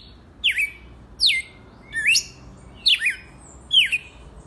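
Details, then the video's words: Red-cowled cardinal, described as wild, gives five clear whistled phrases of falling and rising slurs, evenly spaced less than a second apart, over a low steady hum. "Galo de campina SELVAGEM RAIZ"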